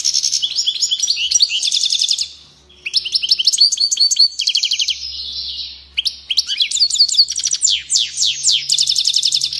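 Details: European goldfinch, described as going crazy, sings a fast, bright twittering song of high buzzy trills and rapid chirps in bursts, with a short pause near the middle; no other sounds are clear.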